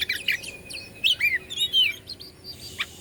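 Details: Short burst of Oriental magpie-robin song from Bandung, Indonesia, sung to provoke rival magpie-robins: quick chirps, a held whistle, then arching downslurred notes and a final sharp chip.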